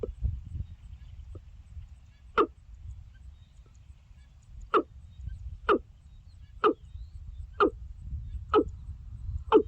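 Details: Watercock in wetland, secretive and calling to others: dull, knocking single notes spaced about one second apart over a steady low rumble, a faint early note before the regular series begins.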